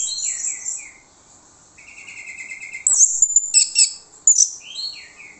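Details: Lure song of an orange-headed thrush for prompting other birds to respond: short slurred whistles, a steady, evenly pulsed trill held for about a second, then loud high chattering notes and more descending whistled slurs.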